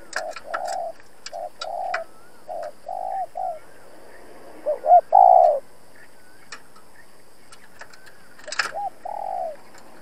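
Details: Decoy spotted dove used in dove trapping, cooing to challenge wild rival males: a series of soft, low, mellow coos. Short notes are followed by drawn-out hoots, and one louder, fuller coo comes midway, with scattered clicks and taps around them.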